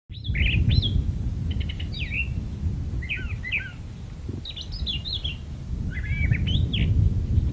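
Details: Brown thrasher singing from a magnolia tree: a varied run of short whistled and chirpy phrases, some given in quick doubled or tripled bursts, rising and falling sharply, over a steady low rumble of background noise.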